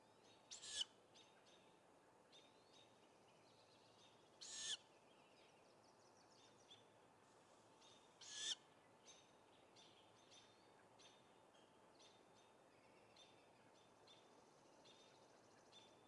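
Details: Great grey owl nestlings at a nest, recorded May 17, 2017, give harsh, hissing screeches every few seconds, begging for food. The youngest is struggling with a sibling over a rodent the mother brought.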